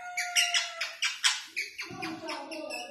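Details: Pet rose-ringed parakeet that talks in Urdu and Hindi, producing a rapid series of harsh, squeaky syllables that sound like speech, with a lower human-like voice joining near the end.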